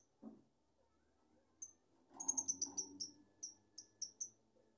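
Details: Rapid, shrill chirping from a beloved lovebird: a fast string of about a dozen sharp, high, slightly downslurred notes, some in quick succession, others spaced a few tenths of a second apart, with light indoor background noise.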